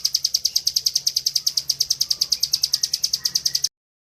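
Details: Bar-winged prinia in a cage, singing ngebren style for training birds: quick, evenly spaced high chirps about three per second for nearly four seconds, then stopping abruptly.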